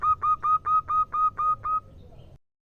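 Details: Female zebra dove, local Indonesian strain, calling to a male. About eight short, evenly spaced, clear whistled notes on one pitch, then fading into quiet.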